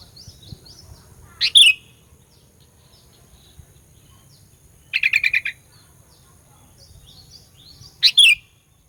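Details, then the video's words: Sooty-headed bulbul lure song meant to stir up rival bulbuls: three short, loud bursts spaced a few seconds apart, each a quick rattle of high chattering notes, with faint distant chirps between them. "Burung Kutilang Pikat Gacor Fighter, Paling Jago Mendongkrak EMOSI Kutilang LAWAN"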